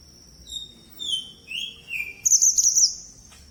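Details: Very active red mantenan bird sings a series of falling whistled slurs, then a loud, high, buzzy chattering phrase, with a steady high ringing tone in the background.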